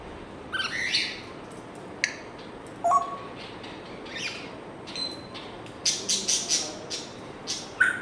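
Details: African grey parrot kept as a pet making a scattered series of brief clicks, chirps and short whistles over about eight seconds, some high and sharp, others low, with quiet gaps between.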